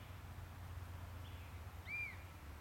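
A Southern lapwing gives one sharp, strident note that arches up and falls away, after a fainter short cry, over a steady low rumble of wind or distant traffic.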